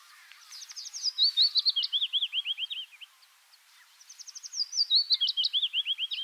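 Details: Willow warbler, two song phrases about three seconds apart. Each opens with quick high notes and tumbles down through a run of sweet, slurred whistles. A faint background hiss is present.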